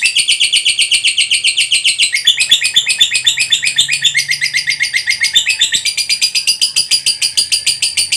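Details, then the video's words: Lovebird producing a long ngekek trill, a lure to make other lovebirds sing: a steady stream of shrill, buzzy chirps at nearly four per second, continuous for eight seconds with shifting tone. "Suara Burung Lovebird NGEKEK PANJANG, Pancingan Lovebird PALING CEPAT BIKIN BUNYI"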